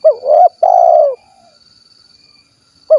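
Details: Spotted dove, tekukur 'kuk 1' type, recorded in Cilacap, Central Java, gives one full phrase, a brief rising flick, a short coo and a drawn-out descending coo, with the next phrase starting at the end; faint constant high-pitched hum behind.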